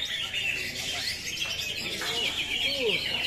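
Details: Cucak hijau, or greater green leafbird, delivering 'tembakan kapas tembak' singing: rapid, continuous high twittering and chattering phrases, a few lower sliding notes near the end, and soft voices in the background.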